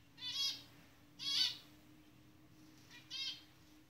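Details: Two zebra finches, a pair in the jungle, produce three loud nasal buzzy calls, each roughly a third of a second long with stacked harmonics, separated by short pauses against a faint steady hum.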